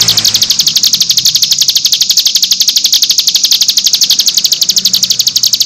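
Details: Cigun nembak song, one of six variations recommended for training untrained birds, with a dense, very fast high trill of ticking notes sustained for nearly six seconds, steady in pitch, with a faint hum below.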